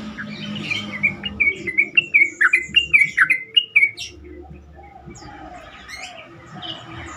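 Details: Sooty-headed bulbul, played to encourage other bulbuls to call back and sing harder. A bright run of quick, warbled notes rising and dipping lasts about three seconds. Softer, distant notes and light noise follow.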